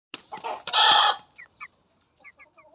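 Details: Aseel hen crowing like a rooster: a loud, harsh, strained crow of about half a second follows a few short raspy notes, then soft quiet clucks trail off.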